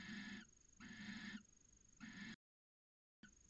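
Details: Late January barn owl pair copulating in a nest box, Cabañeros National Park, Spain; harsh hissing calls come about once a second, three in a row, then a short silent gap before another begins.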